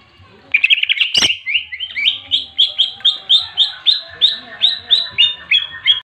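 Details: A greater green leafbird (Chloropsis sonnerati) gives a loud, rapid string of sharp, slurred whistled notes, three or four a second, after a brief clatter; fighting song meant to provoke and stimulate other leafbirds.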